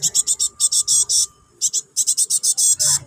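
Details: Java sparrow (gelatik batu) chick calling to its parent, used to stir other birds into singing: bursts of rapid, harsh, high chattering notes in quick runs, with short gaps between runs.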